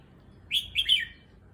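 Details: Caged red-whiskered bulbul settling into a new cage at a new place, giving a short bright phrase of three quick whistled notes, the last one slurring downward, over quiet low background hum.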